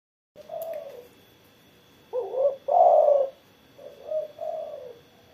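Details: Spotted dove singing after morning sunning: low, soft coos in a phrase of several notes, two stronger middle coos followed by softer ones, over a steady faint high hum.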